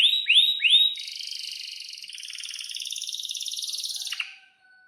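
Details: Atlantic canary kenari song meant to teach young canaries: three loud rising whistled notes, then a long even buzzy rolling trill lasting about three seconds, fading out.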